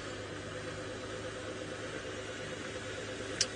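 Steady vehicle engine hum and broadband noise with a brief click near the end, no animal voice.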